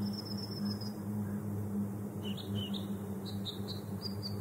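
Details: American dipper song of thin high whistles, one long drawn note followed by short paired chirps and slurred notes, set against a steady low hum and rushing noise.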